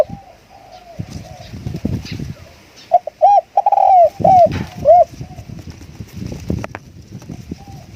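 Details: Spotted dove decoy calling: one short phrase of rounded coos, the central note drawn out and falling, over rustling, handling noise and faint background cooing.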